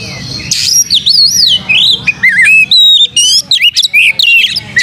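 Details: Lure song of an Oriental magpie-robin in full voice, tail open: a harsh opening burst, then varied wavering whistles, downslurred notes and clipped chirps in quick succession.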